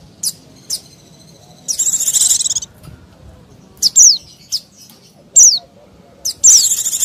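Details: Calls of a Mountain white-eye played to lure wild birds, with short high ticks, a long rapid buzzy trill, and several high downslurred chirps toward the end.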